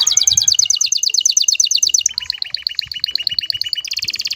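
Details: Excited male canary sings to urge a female to mate. A fast, high rolling trill switches to a lower trill of doubled notes, then to another quick high trill. The trills are sharp and even, with soft background noise.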